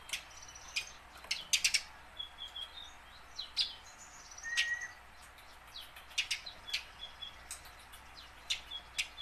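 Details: House sparrow, tame, learning to sing and used to get caught sparrows chattering fast; scattered loud chirps and short chirp bursts, interspersed with soft thin whistles and a brief lower whistled note.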